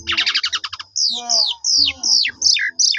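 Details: Asian pied starling song used as a lure to draw replies from other starlings: a fast run of short clipped notes, then a series of loud slurred whistles falling from high to lower pitch, each about half a second long.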